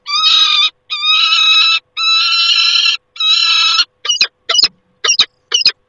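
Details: Loud peregrine falcon at the nest, 28 August 2021, gives four long, raucous wails, then switches to four short, sharp, clipped calls spaced about half a second apart.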